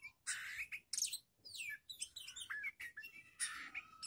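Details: Young Oriental magpie-robin faced with other birds delivers continuous varied song: harsh buzzy bursts, rich slurred whistles and squeaky rising and falling notes in quick succession.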